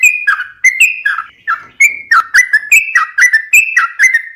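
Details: Lively sooty-headed bulbul song made of clear whistled notes dropping in short slurred pairs, delivered in quick, even succession through the whole stretch, with a clean, quiet background.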